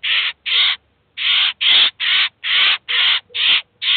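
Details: Eurasian jay in Kaluga city, an adult that has brought its fledglings to a cheese feeder to feed and teach them, gives harsh, rasping screeches in a steady run, about two per second, each short and grating, with nothing else heard.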